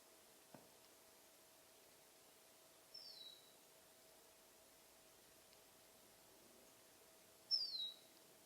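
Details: Summer finch calling with two separate high, thin whistles, each gliding down in pitch, spaced several seconds apart over a steady low hum and soft outdoor noise.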